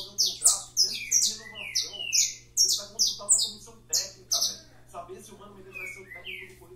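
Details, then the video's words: Saffron finch singing loudly: rapid series of piercing, high, downslurred chirps roughly two or three per second, slowing into a few lower whistled slurs near the end. Faint background speech and a constant low hum. "canário da terra cantando"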